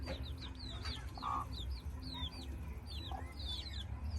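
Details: Chicks with their mother hen, giving many high, downward-slurred peeps in quick succession over a low steady hum.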